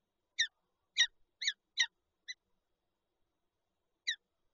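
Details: Nesting Peregrine falcon pair with an egg, Lublin, Poland, 19 March 2022: five quick harsh, nasal notes in under two seconds, then silence and a single final note.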